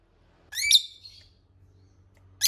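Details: Lovebird call from a recording meant to lure rival lovebirds into answering: one harsh, squeaky squawk with sliding harmonics, a short pause, then another sharp note beginning at the end.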